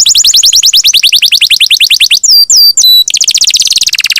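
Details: Long rolling canary song used as a master for songbirds: a steady rapid trill of high notes, a few swooping whistles, then another fast roll that drops slightly in pitch.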